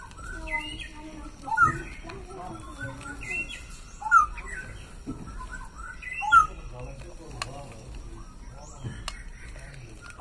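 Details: Male straw-headed bulbul singing loudly and actively: bright, rich whistled phrases bursting out about every two seconds, with softer warbled notes between them and faint background chatter.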